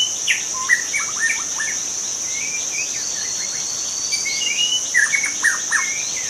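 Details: Forest-dwelling wild white-rumped shama delivering bursts of whistled notes and slurred upward phrases, separated by brief gaps, over a continuous shrill insect hum.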